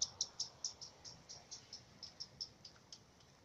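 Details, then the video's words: Common redstart alarm signal from a chance recording: a steady string of thin, high ticking notes repeated roughly four times a second, fading slightly toward the end. "Горихвостка обыкновенная. Лысушка. Сигнал тревоги"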